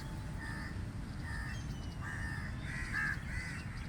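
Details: Crow cawing outdoors: harsh, buzzy caws repeated about every second, some doubled, over a steady low rumble, with thin high whistles from other birds in the background.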